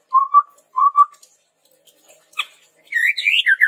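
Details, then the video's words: Chestnut-rumped babbler, recorded for luring and tutoring birds: two soft paired low whistles, a sharp click, then a quick cluster of higher rising and falling whistled notes. "SUARA PANCINGAN BURUNG TEPUS TUNGGIR MERAH GACOR COCOK UNTUK MASTERAN"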